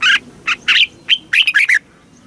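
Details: Loud, close red-whiskered bulbul singing a southern-style Thai phrase, played to stimulate caged birds and tutor youngsters: rich chirps followed by a rapid jumble of warbled, falling notes, then quiet.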